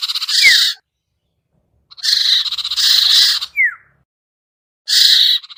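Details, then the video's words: Sirtu lure sound for a bird reluctant to come down: rasping buzzy blocks separated by silences, each broken by a sharp downward-slurred whistled note. "suara pikat burung sertu sirtu cipoh yang susah turun"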